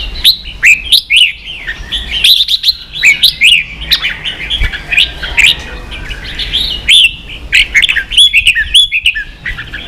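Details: Training song of red-whiskered bulbul, "ché" style, meant to teach young birds and rouse kept birds to sing: continuous chattering run of short whistled and rising notes, dense phrases with brief gaps.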